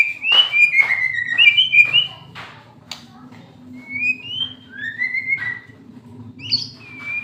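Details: Moulting white-rumped shama, fighter type, delivering bright whistled slurs in groups separated by pauses, with a steady low hum beneath.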